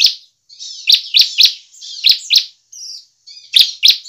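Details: Bar-winged prinia singing energetically as a lure for other prinias: high buzzy rasps broken by sharp ticking notes, about three to four per second, in short phrases with brief gaps.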